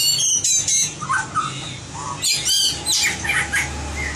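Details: White-rumped shama in competition-singing training gives a varied, jumbled song of harsh squawky notes, short mid-pitched whistles and high bright phrases, with brief pauses and a steady low hum behind.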